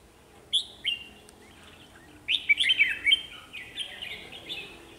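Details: Red-whiskered bulbul decoy singing energetically at a trapping site to attract wild birds; a couple of sharp whistled notes, then a fast, jumbled phrase of bright warbling chirps trailing into quieter notes.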